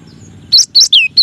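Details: Cinereous tit, gelatik wingko, singing a masteran phrase: after a short pause, four clear high notes, two upward chirps, one long falling whistle, then another chirp.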